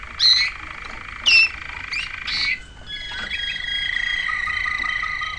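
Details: Waterslager canary singing: two short bright bubbling bursts, then a wavering phrase and a long, steady, rolling trill held low and even to the end.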